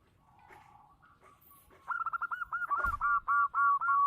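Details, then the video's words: Local zebra dove in Indonesia, praised for a loud, big voice: faint soft notes at first, then a series of rapid rolling coos speeding into longer, drawn-out fluty notes. "perkutut lokal gacor suara besar"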